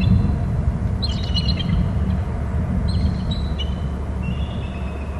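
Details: Bald eagles calling at a nest and territory on Hornby Island before both fly off on a chase. Two short bursts of high, thin, piping chatter, then a drawn-out descending whistle, over steady low rumbling background noise.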